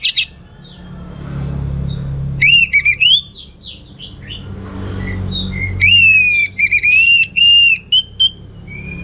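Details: Orange-headed thrush singing in lively, continuous 'gacor teler' style with a rich repertoire: loud, clear whistled phrases, drawn-out and slightly wavering, then a burst of short rapid whistles, over a low background hum.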